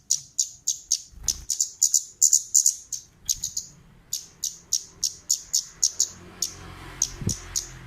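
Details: Lure calls of a female orange-headed thrush: crisp, piercing high chips in a quick series, bunched densely near the start, then more evenly spaced. A brief low thump is heard near the end.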